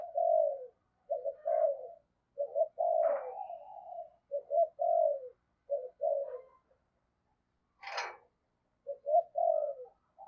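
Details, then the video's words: Spotted dove decoy cooing in the 'thổ sấm' style. Groups of low, throaty coos with falling ends repeat through the recording. A sharp click near the eighth second breaks a pause before the coos resume. "tiếng cu gáy giọng thổ sấm chuẩn Thúc Gù gáy Gọi căng lửa"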